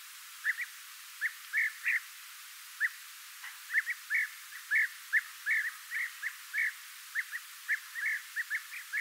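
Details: European bee-eaters (Merops apiaster) calling: a steady stream of short, rolling, liquid 'prruip' notes, several a second at times, as though more than one bird is calling.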